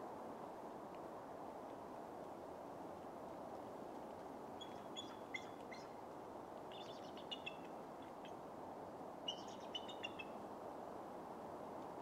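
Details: Bald eagle at Steigerwald Lake National Wildlife Refuge, Washington, USA, 13 November 2010, gives three short bursts of thin, high chattering notes a few seconds apart over a steady rushing background of wind or water.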